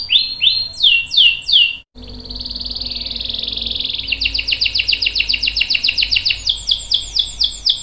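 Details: Canary long-roll song used to prompt other canaries to sing: a few looping whistles, a short gap, a smooth sustained trill, then a long series of quick repeated notes.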